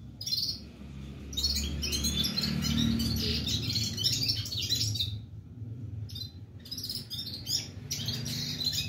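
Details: Continuous singing from a red-headed Red-fronted serin, rapid jangling twitters in long bursts broken by a short gap near the middle, with a low background rumble throughout.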